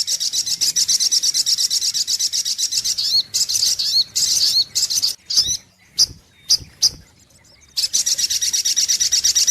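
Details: Sunbird lure recording: a long stream of rapid, high, buzzy notes, then several separate twisting, down-slurred phrases with silent gaps, and the fast chattering series returns at the end.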